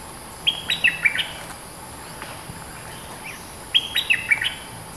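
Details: A bulbul, the dominant bird of its area, repeats a short, chattering run of bright whistled notes twice, about three seconds apart, with faint softer notes between them and a steady low hum.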